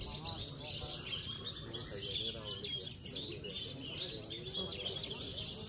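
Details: Contest-winning Javan bush lark, parva race, kept caged in Cilacap, sings a continuous high jumble of sharp chirps and fast trills in bursts, over faint human voices and crowd hum.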